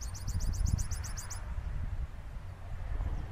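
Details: A saffron finch (Sicalis flaveola), known for its strong, snapping song, gives a quick run of about ten high, sharp, down-slurred chirps lasting barely over a second, over a steady low wind rumble.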